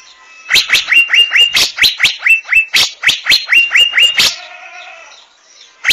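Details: Asian fairy-bluebird giving a rapid series of rising whistles, about sixteen notes in four seconds, each flattening into a sustained high pitch, then a short quiet pause before another note begins.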